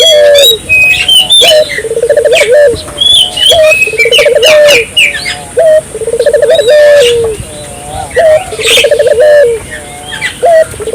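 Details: Barbary dove in vigorous gacor song, used to get local doves calling: steady run of rattling low coo phrases, each ending in a short falling tone, repeated about every two seconds amid constant shrill chirping of other birds.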